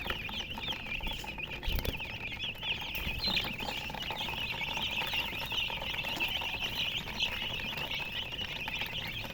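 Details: A brood of baby chickens peeping loudly and constantly, thin high notes piling into a bright, steady chorus; a couple of soft thumps near the start.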